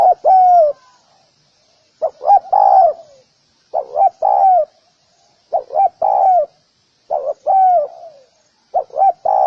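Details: Repeated cooing of a spotted dove, about six phrases in under ten seconds. Each phrase is two short hooked coos leading into a longer, slightly descending one, with quiet pauses between.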